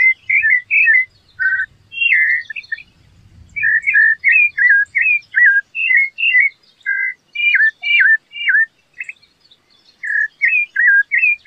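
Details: A rufous-bellied thrush delivers a long, quick run of short fluted notes and slurred whistles, nearly continuous, with a brief low background rumble early on.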